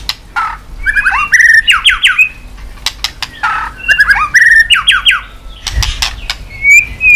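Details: White-rumped shama roused to sing with tail-snapping: bursts of rapid descending whistled notes repeated in similar phrases, separated by dry clicking snaps.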